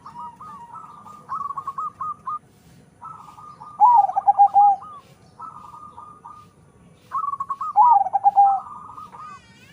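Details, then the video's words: Zebra dove crossbred from local and Bangkok lines for a big voice, alternating runs of quick, level, fluttering notes with louder, deeper rolling coos, in two cycles. "PERKUTUT CROSING PERPADUAN LOKAL BANGKOK SUARA SUPER BESAR"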